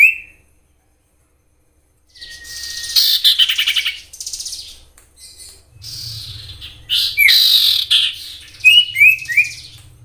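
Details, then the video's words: Common iora singing in the wild, used as a lure for other ioras: dense rapid chattering of high pulsed notes mixed with short swooping whistles, over a faint low rumble. "Sirtu gacor nyiul asli suara Alam"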